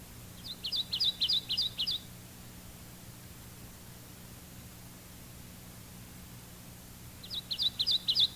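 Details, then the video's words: Kentucky warbler singing its rolling two-noted chiree, chiree song, about four quick repeats per burst, given twice with a pause between; faint low hum beneath. "First, the Kentucky warbler's two-noted chiree, chiree, chiree, chiree."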